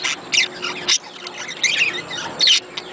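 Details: Budgerigar sounds played to stimulate budgies to breed: short, scratchy squawks and bright chirps in bursts about every half second, separated by quieter warbling.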